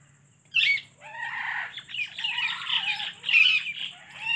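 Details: Alexandrine parakeet kept as a pet, producing a sharp squawk followed by a long run of raspy, chattering calls with wavering tone, fairly loud throughout; faint low electrical hum in the background.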